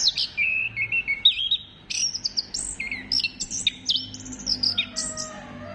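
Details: Orange-headed thrush song used as a lure to stimulate other birds to sing: a rapid, varied run of high whistled and chirping phrases that jump between notes, with short slurred notes delivered almost continuously.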